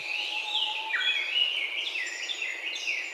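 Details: Chinese hwamei recorded on a bird-survey practice recording in Japan, with brown-eared bulbuls nearby: a rich, varied run of loud slurred whistles rising and falling in quick phrases, a low steady whistle at the start, faint background hiss.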